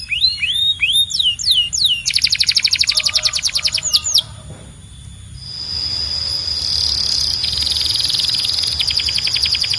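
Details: Belgian canary singing: a run of high whistled notes swooping downward, then a fast buzzy trill of rapid repeated notes, a short pause, and a long sustained high tone rolling into a quieter trill.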